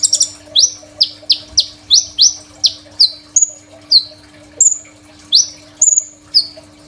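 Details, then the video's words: Crimson sunbird delivering its song, a phone recording meant as a master for training untrained sunbirds: a long series of repeated, very high up-slurred whistles, later shifting to slightly higher flat notes that drop off. "KOLIBRI NINJA GACOR FULL ISIAN SUPER MEWAH, 100% COCOK BUAT MASTERAN KONIN BAHAN"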